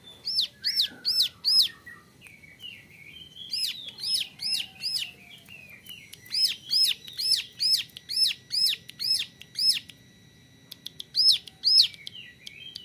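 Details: Young male prinia (ciblek gunung), used as a model for training other birds, sings bursts of sharp, arched high notes repeated rapidly, broken by brief pauses and softer linking twitters.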